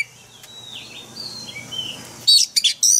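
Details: Oriental magpie-robin forest-style song for daily training of caged birds; soft, faint whistled slurs for two seconds, then a loud, high chattering burst of rapid notes.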